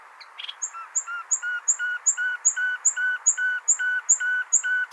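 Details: Nightingale song in Hasaniya style, played to tutor goldfinch and hybrid chicks; a steady run of about a dozen throaty, evenly spaced notes, each a short level tone, repeated roughly two or three times a second.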